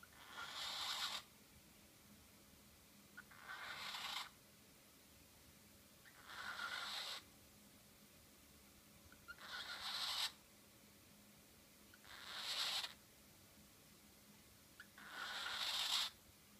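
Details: A male cockatiel imitates snoring with breathy, hissing bursts about every three seconds, seemingly mimicking the female sleeping in the cage.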